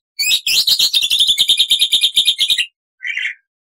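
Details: Black-winged starling singing actively, with long and short bursts of varied phrases: a rapid harsh chattering rattle of about twenty pulses lasting over two seconds, then a single short raspy note after a pause.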